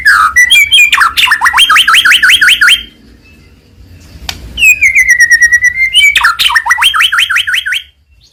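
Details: White-rumped shama of the Medan type in lively song used to provoke other birds; rapid series of rising whistled phrases repeated about four times a second, a drawn-out falling whistle, then the rising series again.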